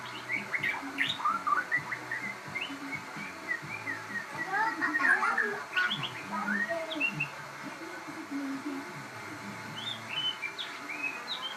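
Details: Shama bred from a cross, singing energetically: quick bursts of chattering chirps and twisting whistled notes, busiest in the middle, with low murmuring voices and a steady hum beneath.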